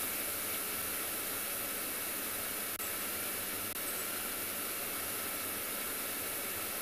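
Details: A steady broadband hiss like wind or steam, with two faint clicks and no animal voice.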